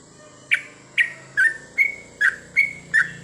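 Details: Night-time sooty-headed bulbul singing in goklik style: seven evenly spaced, rounded whistled notes, each a short slurred chirp, about two per second, over a faint background hum.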